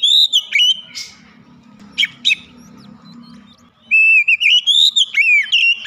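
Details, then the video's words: Oriental magpie-robin singing with its beak opened wide; a few whistled notes and sharp clicks, a quiet stretch with low background hum, then a rapid run of rising and falling whistles. "sekali dengar Kacer langsung gacor ngeplong buka paruh dengan lebar"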